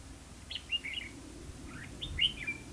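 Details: Competitive singing from a Red-whiskered bulbul lure bird during trapping in Hòa Mạc, Hà Nam, Vietnam: two quick bursts of sharp, slurred chirping notes about a second and a half apart, over soft background hum.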